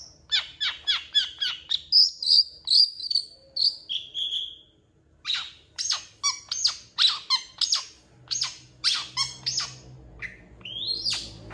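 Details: Long-tailed shrike, singing actively on a training tutor recording, its repertoire said to copy cats and chickens; a rapid series of sharp repeated chirps, then clear whistles, then a long string of harsh, buzzy notes at a steady pace.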